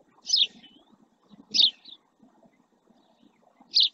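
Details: Three loud, clipped chirps, the second with a quick extra note, from a male house sparrow resting near a camera in the Doñana marshes, Almonte, Spain; faint murmuring background.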